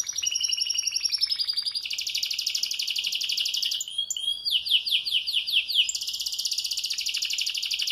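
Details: Canary singing despite its moult, all day long: a high wavering trill, then a long rapid roll, a burst of swept chirps, and another steady, fast trill to the end.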